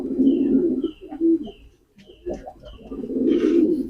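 A pigeon gives low, throaty rolling coos, several soft pulsing phrases in a few seconds, with faint higher chirps in the background.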